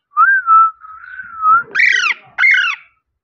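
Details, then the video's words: Pet parrot giving a clear sustained whistle that wavers slightly, followed by two harsh, harmonic-rich rising-falling squawks, indoors in quiet surroundings. "parrot natural sound"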